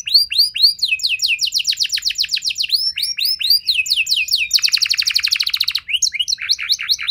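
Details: Canary song intended to get canaries responding and singing long. Continuous quick downslurred chirps give way to a dense, fast metallic trill. Varied swooping whistles close the phrase.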